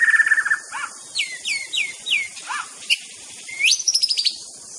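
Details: White-rumped shama, a master song meant to provoke rivals: rapid bursts of clear, sweeping whistles falling in pitch, sharp chirps and a quick high rattling trill near the end, with a steady faint hiss behind.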